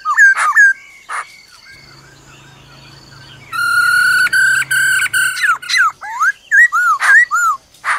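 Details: Forest-style song of a black-throated laughingthrush with the female's rolling trill: clear whistled notes open, a low hum in the background, then a long pulsed buzzy trill and looping rising-falling whistles.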